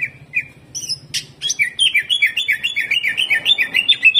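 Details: Caged greater green leafbird in rough, fast 'jamtrok' song: a few sharp introductory chips, then a steady rapid train of high buzzy warbled notes, about four each second, running on to the end.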